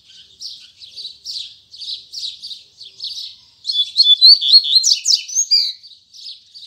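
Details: A Braddock double-collared seedeater sings in the morning, first soft buzzy notes roughly twice a second, then a loud burst of quick whistled slurs and sharp chips, in the tui tui zel zel style.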